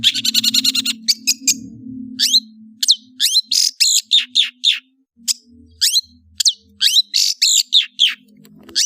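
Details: Varied chattering song of the cendet, the long-tailed shrike: a rapid rattle at first, then scattered sharp, rising and falling chirps with short gaps, over a steady low hum.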